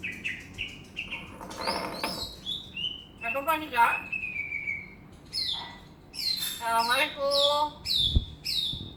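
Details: Talking common hill myna, which imitates assalamualaikum and human coughing, mixes short clear whistles with harsh, voice-like mimicked phrases in quick irregular bursts, some rising and some falling, and a sharp click near the end.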